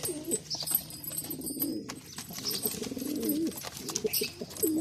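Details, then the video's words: Male Bazi pigeon performing, giving low, rolling, throaty coos in several drawn-out phrases, with sharp high chirps from other birds and scattered clicks throughout. "Pigeon Sound Effect || Male Pigeon Super Performance || Bazi Pigeon"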